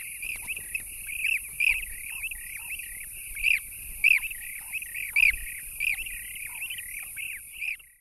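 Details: Demoiselle cranes (Anthropoides virgo) calling together in Korchay reserve, Goranboy district, western Azerbaijan, in April 2015: a continuous chorus of rolling, trumpeting croaks with louder calls every second or so, over a steady high hiss, with blue-cheeked bee-eaters calling behind.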